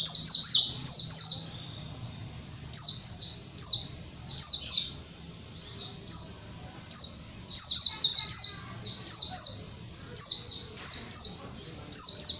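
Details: Japanese white-eye song recorded for training cage birds: repeated bursts of two to four high, down-slurred whistled notes, roughly every second or two, in the chatty 'ngalas' style.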